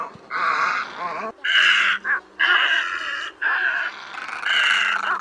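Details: Great egret calls used as a lure for night net trapping of egrets in Vietnam during the August migration season: harsh, raspy croaks in separate bursts of about half a second to a second, over a steady faint low hum.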